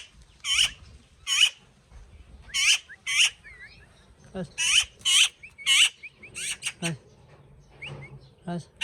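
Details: Pet talking parrot giving loud, harsh screeches in quick bursts, each ending in a falling whistled tail, with a few thin rising whistles between them and a low background hum.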